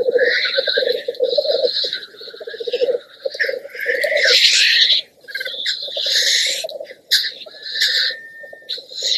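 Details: Black grouse lek with males displaying to watching greyhens: a low, continuous dove-like bubbling rookoo from several males, broken by harsh, hissing sneeze calls.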